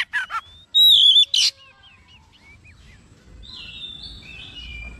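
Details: Oriental magpie-robin (kacer), usually reluctant to sing, reacting excitedly and showing off its repertoire; a short burst of loud pure whistles and a trilled note, followed by soft faraway twitters and faint background hum.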